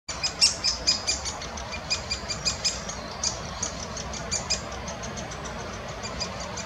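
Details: Great spotted woodpecker young being fed by an adult in Munich Botanical Garden give rapid, high, thin chittering begging calls, several a second, loud at first and then fading, over a soft rural background.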